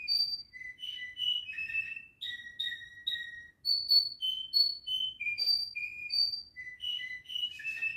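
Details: Canary singing at home, a run of sweet whistled phrases, some held, some quickly repeated, moving between high and mid pitches with brief pauses between groups.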